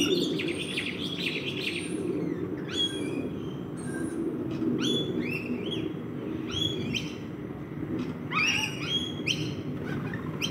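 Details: Rainbow lorikeets feeding in a backyard: bursts of harsh, screechy chatter from several birds, dense in places, over a continuous low-pitched hum.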